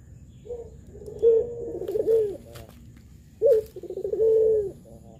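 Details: Spotted dove in pelung style, used to stir lazy or novice doves to coo. Two phrases of a high opening note, bubbling trills and a drawn-out coo, with soft clicks and rustling between them.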